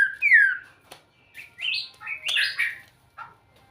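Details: White-rumped shama singing a varied, melodious phrase: a loud falling whistle, then a series of shorter rising and warbled notes separated by brief pauses.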